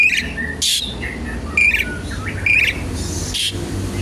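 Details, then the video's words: Energetic song of an Asian pied starling, used to trigger and tutor other songbirds. Loud grating bursts come about once a second, mixed with bright squeaky whistles and rising slurs, with low background noise. "jalak suren gacor pancingan tembakan penambah materi isian burung"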